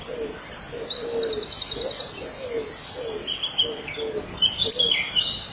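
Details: Common kingfisher pair at the nest, 07:57 on 12 May 2013: female hears the male and wants out, they jostle, then he feeds; thin, shrill, high whistles with a rapid ticking trill, soft dove cooing behind.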